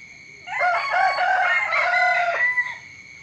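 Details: Chicken crowing in the morning: one long, loud cock-a-doodle-doo of about two seconds, harsh and rich in overtones, with a falling tail. A steady high-pitched insect-like drone continues in the background.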